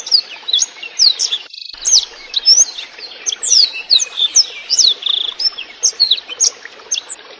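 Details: Clear, lively blackthroat song with trickling water beneath, meant for teaching songbirds: a steady stream of high, sweeping whistles, falling slurs and short chips, bursts spaced closely with a brief gap early on.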